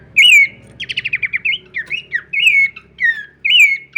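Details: Varied song of a Horsfield's babbler flicking its wings: bright whistled phrases that swoop down, broken by a fast series of short choppy notes, with a low hum in the background.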